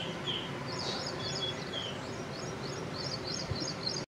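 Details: Black drongo calling with a thin whistled note, then a run of short, high, clipped chirps repeated several times a second, set against constant broadband outdoor background noise.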